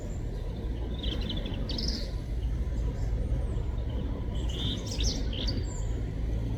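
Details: A European robin in a UK garden sings two short, high, thin warbling phrases a few seconds apart over a steady low rumble of traffic.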